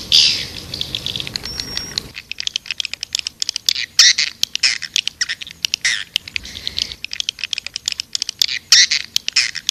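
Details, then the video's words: Swiftlet-attracting call of the white-nest swiftlet: sharp squawks and dense clicking ticks, broken into irregular high chattering bursts, with a brief thin whistle near the start. "Suara Panggil burung walet"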